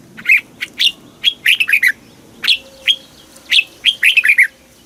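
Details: Red-whiskered bulbul, Thailand, singing a southern master-style phrase used to excite caged birds: loud separate whistles, then a fast warbled cluster, with a faint steady low tone behind.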